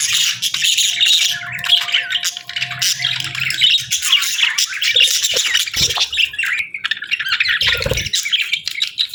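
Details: Chirping budgerigars kept as pets, their happy chatter filling the space: a steady stream of buzzy, twittering warbles and squeaky notes from several birds, with a faint low hum and occasional knocks underneath.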